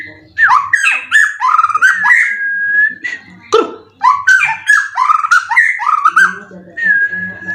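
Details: Competition white-rumped shama in a cage, pouring out rising whistled phrases and sharp chattering notes, punctuated by long level whistles and a brief harsh burst.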